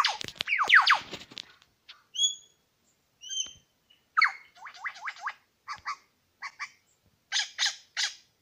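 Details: Two male Superb Lyrebirds at Lookout Point, New England National Park, give varied song: loud descending sweeping notes, then clear paired whistles, followed by rhythmic series of short buzzy rising strokes repeated in bursts.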